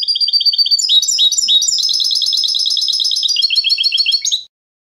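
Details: Continuous, bright European goldfinch song of quick high chirps and trills, shifting pitch between phrases with a buzzy, jingling quality.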